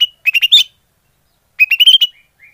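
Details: Greater green leafbird call used as a lure: two short bursts of quick, rising chattering chirps, the second run climbing in pitch and trailing off in a faint whistle.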